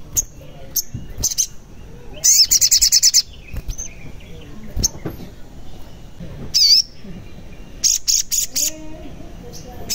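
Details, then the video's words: Sogon singing as a lure for birds that refuse to sing: scattered high chips, a long rapid buzzy rattle, a looping whistle, then another fast run of shrill notes. "Pancingan Sogon Agar Bunyi, Sogon Bahan, Sogon Malas Bunyi, Sogon Macet Bunyi, Pasti Langsung Nyaut"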